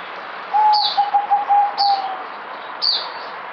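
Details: Zebra dove (merbok) kept on multivitamins, singing somewhat weaker than usual. It gives a rapid series of about six short, level, mid-pitched cooing notes over roughly one and a half seconds. Sharp high chirps occur three times alongside.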